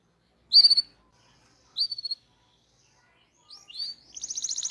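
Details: Local canary in a full rolling-song training recording: short bright chirped bursts, each a rapid stutter of notes, separated by silent gaps, then a quick rising slur leading into a fast buzzy trill at the end.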